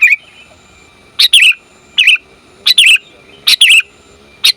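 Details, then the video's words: Female sooty-headed bulbul calling the male: short bright chirped phrases, each a sharp high note dropping into a slurred warble, repeated roughly every three-quarters of a second in pairs and singles. "Suara Burung Kutilang Betina Memanggil Jantan"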